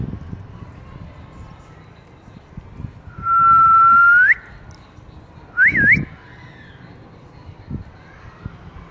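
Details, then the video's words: Pet talking ring-necked parakeet enjoying cool weather: one long, smooth, level whistle curling upward at the end, then a short zigzag whistle, otherwise quiet low background hum. "Ring Neck Parrot"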